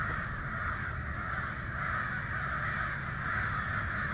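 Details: Distant mass of ravens, hundreds strong, calling on and on after a dead-silent spell; a continuous hoarse murmur of overlapping calls holds steady throughout, individual croaks lost in the chorus, with faint low rumbling beneath.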